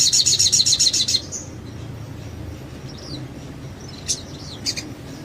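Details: Crested jay song from a training recording meant to make other birds sing: a rapid, even, high rattling trill for about a second, then near quiet with a few faint high notes.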